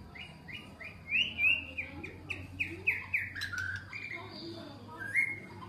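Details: White-rumped shama, a wild-caught bird caged for one week with a 16 cm tail, being tamed; clear whistled phrases, many short slurred notes repeated in quick succession, some rising sharply, with a low steady hum underneath.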